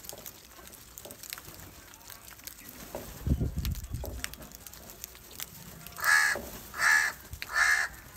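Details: Crows in a huge flock gathering for salty food, fighting over it; low rumbling background gives way to three loud, harsh caws spaced under a second apart near the end.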